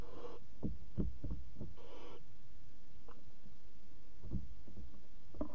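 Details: Barn owl chicks in a nest box at 22:00 on 5 August 2017, flapping their wings: two short breathy hisses near the start, then soft thumps and rustles from wing movement inside the box.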